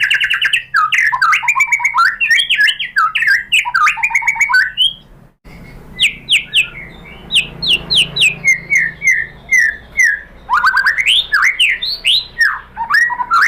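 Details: White-rumped shama song played as a lure to provoke answering and singing: long rich outpourings of varied whistles, warbles and rapid notes, broken by a short pause, then resuming equally varied.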